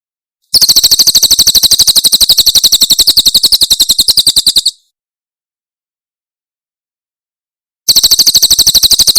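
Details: Cililin Javan prinia master song: a four-second run of quick, metallic, high notes, then about three seconds of silence before the bird starts the next rapid trill.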